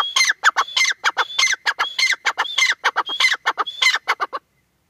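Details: Grey francolin hen, known locally as teetar, gives a rapid chain of grating, clucking phrases. Each is topped by a brief clear whistle, about one phrase every 0.6 seconds. Calling stops abruptly near the end, leaving silence.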